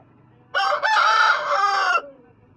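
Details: Rooster giving one loud crow of about one and a half seconds. The crow is rich and harsh, with a brief break near the start, then a sustained, slightly wavering middle that ends abruptly. The background is quiet.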